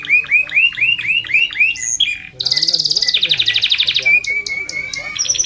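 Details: Canary song for training and luring other canaries: looping arched whistles repeated about four per second, a burst of dense high trilling, then sharp chips and a level whistle, with fainter lower warbling beneath.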